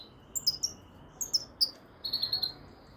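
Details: A European goldfinch of the frigoris subspecies utters quick pairs of sharp, high twittering notes, then a short rippling buzzy phrase.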